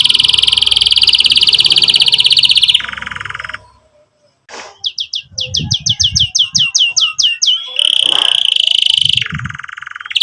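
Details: Vigorously singing canary, played to teach young canaries song and revive non-singing ones: a long fast high trill dropping to a lower roll, a brief pause, a series of sharp falling chirps, then more rolled trills.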